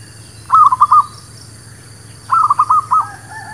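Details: Zebra dove sound used as a lure for trapping birds: two brisk bursts of rolling, stuttered coos, the first of four notes, the second a longer run of about six.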